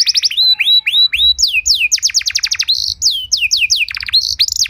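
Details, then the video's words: Canary song meant to teach and trigger other canaries: varied phrases of quick downslurred notes, short whistled upsweeps and a fast rattling roll, delivered loud and almost without pause. "Masteran dan Pancingan Burung Kenari Biar Punya Lagu Mewah!"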